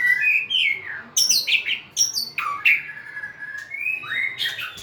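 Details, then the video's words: Singing white-rumped shama, dancing and wagging its tail, gives loud clear whistles that swoop downward, broken by sharp high chips, then a long steady whistle and a rising note. "Big Sound Birds Singing Chirping, Dancing And Beautiful Tails Wagging - Birds White-rumped shama"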